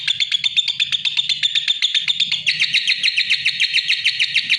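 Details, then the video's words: Lovebird trilling in a dense, high, chattering series of quick chirps, slightly changing in tone partway through, sustained and loud. "Suara Kicau Burung LOVEBIRD"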